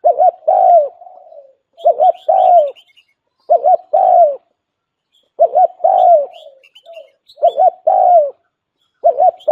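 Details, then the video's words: Lure call of a decoy spotted dove: repeated three-part phrases of two short rolling coos and a drawn-out downward coo, about every two seconds, with faint high twitters from small birds. "Tiếng chim cu gáy mồi chuẩn đỉnh nhất"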